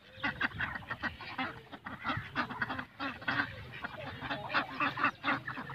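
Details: Ducks at a swimming pool in Pakistan, a busy flock giving rapid overlapping nasal quacks and honks with splashing.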